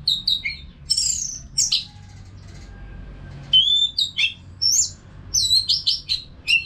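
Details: Caged Orange-headed thrush from Singaraja, North Bali, singing vigorously as a training sound for other birds. Bursts of high sliding whistles and quick chirps come in varied phrases with brief pauses. A faint low hum sits in the background.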